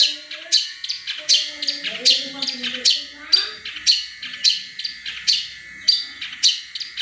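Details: Long-tailed shrike delivering tengkek buto mimicry in a steady series of loud, piercing upswept notes, roughly two each second, while softer lower whistles weave underneath. Used to spur quiet caged songbirds.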